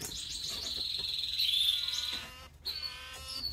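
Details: Diamond firetail singing a sweet, drawn-out whistled note held steady and high, swelling in the middle then fading, followed by a few shorter high notes after a brief gap.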